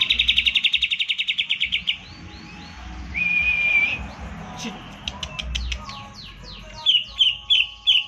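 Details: Caged green leafbird song meant to provoke silent birds into singing: a fast rattling trill of about twenty notes, a steady whistle, scattered chirps, then loud repeated sharp whistled notes.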